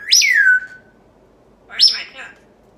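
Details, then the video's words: Pet talking parrot answering its owner during a playful interview indoors: two short bright vocal bursts, the first a high whistled note sliding steeply downward, the second a brief harsher squawk-like burst about a second later, with quiet pauses. "Funny Interview with a Talking Parrot 2!"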